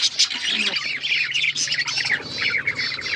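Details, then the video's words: Budgerigar chatter kept as pets: scratchy squawks mixed with quick looping warbled notes, several overlapping voices, plus a low steady hum underneath. "Beautiful birds chirping sounds birds singing"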